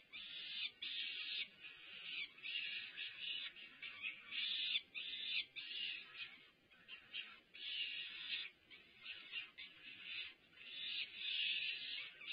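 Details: Eager peregrine falcon chicks beg at their UC Berkeley nest while the female feeds them a meal delivered by the male on 20 May, giving a long run of grating, hoarse screams, some clipped and some drawn out, almost without pause.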